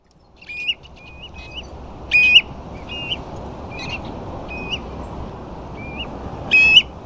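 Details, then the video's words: Ringed plovers with a few dunlin on sandflats at Ferrybridge, Portland: short clear whistled calls, slightly rising, repeated at irregular intervals, a few louder upswept notes standing out, over a steady wash of background noise. "Ringed Plovers"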